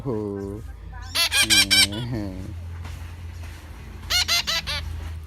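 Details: Hungry young parrot being hand-raised, begging with harsh, rasping screeches in quick bursts of three to four, with softer, lower drawn-out calls at the start and a low background hum.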